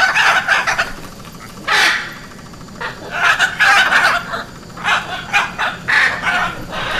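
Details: Hyacinth macaw repeating loud, grating squawks, about a dozen coarse broadband calls spaced irregularly, some short and clipped, others drawn out, with quiet gaps between them.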